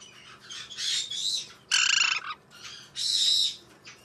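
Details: White-bellied parrot giving three harsh, buzzy squawking bursts over four seconds, the middle one loudest with a rasping, slightly banded tone, separated by short quiet gaps.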